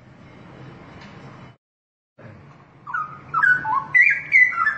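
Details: A low background hum and a short gap lead into a straw-headed bulbul's loud song: bubbling, liquid whistles that rise and fall in a rapid warbling run.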